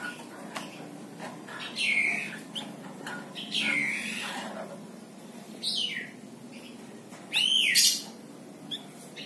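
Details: Tame plain prinia, a small brown bird called wergan jawa or mlinjon, known for a characteristic chattering call used to tutor other songbirds; several loud, down-curving sweeps arrive at irregular intervals, with light clicks in between over steady low hiss.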